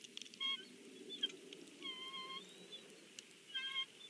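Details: Bald eagle family at the Big Bear nest during breakfast: three brief whistled calls with bright overtones, the middle one a longer level note, over a steady low rushing background.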